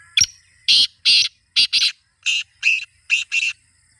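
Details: A kept black francolin produces a series of harsh, scratchy call notes, some single and some in close pairs, about eight bursts in four seconds against a quiet background.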